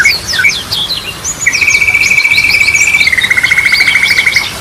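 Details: Energetic yellow-vented bulbul song of the Ropelan type, for luring birds that stopped singing: quick jumbled chirps give way to a sustained, machine-like rapid trill lasting about three seconds, slightly lowering at the end.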